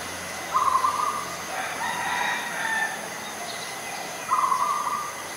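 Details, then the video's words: Adult zebra dove (Geopelia striata) in Ubon Ratchathani, Thailand, 21 September 2022: two soft, rapid rolling coos, mid-pitched and trilled, about four seconds apart, with quieter cooing between them. "นกเขาชวา (Zebra Dove)"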